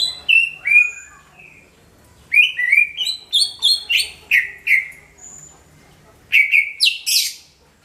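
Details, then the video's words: Greater green leafbird singing loudly, a recording used as a lure for all kinds of birds: bursts of rich slurred whistles, mostly falling, packed into quick clusters between short pauses, with a final burst rising into harsh, high buzzy notes over a faint low hum. "SUARA CUCAK IJO MENGGELEGAR PAS BUAT PANCINGAN SEGALA JENIS BURUNG"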